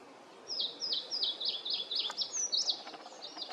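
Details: Eastern crowned warbler in tall trees giving a fast run of about eight sharp, downslurred whistled notes that speed into a buzzy rising ending, with quiet background noise.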